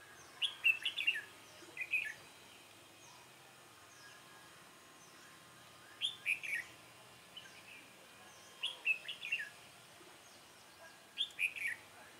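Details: Red-whiskered bulbul at a trapping session using a decoy bird, giving short warbled phrases of bright chirping notes, repeated in bursts every two to three seconds with quiet gaps between.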